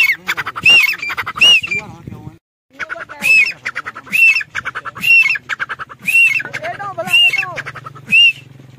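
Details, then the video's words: Grey francolin phrases of clicky notes and bright arched whistles repeat about once a second, with a brief pause early on. A low hum and some other bird chatter sound in the background. "Gray francolin teetar sound"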